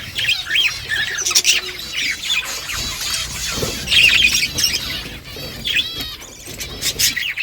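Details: Budgerigars in a morning flock, talking to each other with overlapping warbled chirps and short squawks, slightly quieter and more spaced toward the end.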